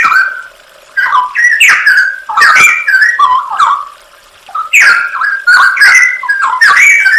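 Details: Straw-headed bulbul masteran song, a training recording for songbirds with full fill-in 'nembak' phrasing: two bursts of rich, rolling whistled warbles separated by a pause of about a second, with loud slurred notes throughout.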